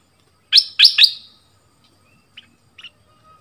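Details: A southern dok taeng bird, recorded as a lure song for young birds to learn, gives three loud, rapid, high-pitched downslurred notes, then a few faint short chips after a pause.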